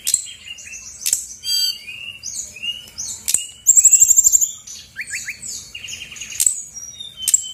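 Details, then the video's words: Female brown-chested jungle flycatcher from Bali in full lure song used to provoke silent birds: a rapid, varied stream of high whistles, slurs and buzzy notes, with a fast ringing trill near the middle. "PANCINGAN SRDC GACOR BONGKAR ISIAN/BURUNG MALAS BUNYI AUTO EMOSI RESPON NYAUT!!!"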